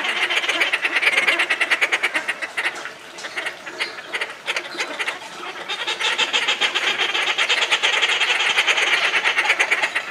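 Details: Captive Inca terns at Tama Zoo in Japan, filmed July 2019, calling nonstop: rapid grating, buzzy notes packed about three per second, a short quieter lull near the third second, then loud steady chattering resumes.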